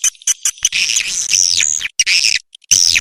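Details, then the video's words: Swiftlet calls used as a lure, recorded clean without noise: high, thin twittering with downward-sweeping buzzy notes, a few short chirps at the start, then sustained chattering phrases separated by brief pauses. "suara walet•terbaik bersih tanpa nois"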